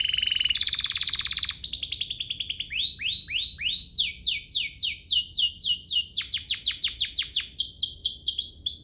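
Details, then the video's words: Domestic canary song used to trigger singing in other canaries: fast high trills give way to a long run of descending slurred whistles, about two per second, shifting pitch between phrases. "Pancingan ini EFEKTIF BANGET, burung kenari lain langsung terpancing untuk GACOR"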